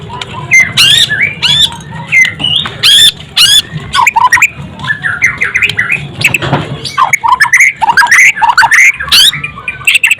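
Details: White-rumped shama singing a rapid, varied stream of whistled swoops, harsh chattering bursts and quick trills, almost continuous and loud, with faint low background noise throughout.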